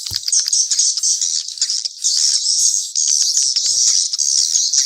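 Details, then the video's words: Several swiftlets trill continuously in a thin, high, buzzing wash. Faint short chips and a few scattered clicks break through now and then. "Sp burung walet campuran"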